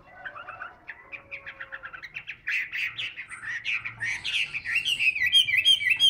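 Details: Caged Chinese hwamei singing while hand-held, displaying for a fight: a run of quick repeated notes that speeds up and grows louder, turning into bright rising whistles and high, sharply repeated chirps.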